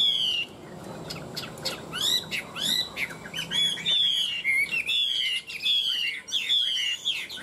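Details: Tame caged Chinese hwamei, one of a pair kept three years, delivering fighting song: loud, high, richly varied whistles, sharp upslurred notes and repeated descending slurs in quick succession.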